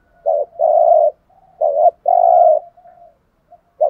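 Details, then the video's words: Decoy spotted dove gives low, mellow coos, a short clipped note leading into a longer sustained one, repeated twice with quiet murmured notes in the pauses. "chim cu mồi thúc gù bài bản nhất hiện nay"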